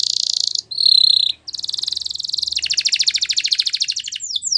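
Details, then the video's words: Canary singing Spanish Timbrado training song: a bright, high-pitched buzzy roll, a clear whistled note, then a fast, steady trill of rapid repeated pulses. "Canary Singing"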